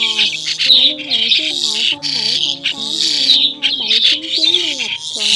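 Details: White-headed starlings, migrating, recorded in the October 2020 bird season as a lure call for net trapping: a dense, harsh chatter of high squawks and screeches, with sliding low music-like tones running underneath.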